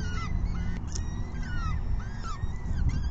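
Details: At an evening feeding on 14 May 2021, around 6 PM, peregrine falcon chicks keep up continuous plaintive, downslurred begging wails that overlap one another, over low constant background rumble.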